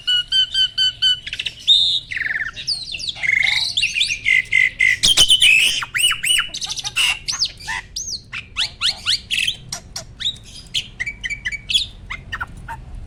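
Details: Adult male Asian pied starling in stable peak breeding condition, bobbing and pumping as it sings in readiness to mate: a rapid, varied stream of clear whistles, rising and falling squeaks and grating squawks, about four notes per second.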